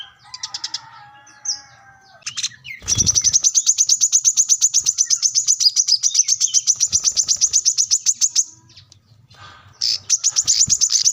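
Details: Plain-throated sunbird singing hard while seeking a rival, used for luring and tutoring birds: softer mixed twittering at first, a thump, then a long, steady, very rapid run of sharp high ticks, about four each second.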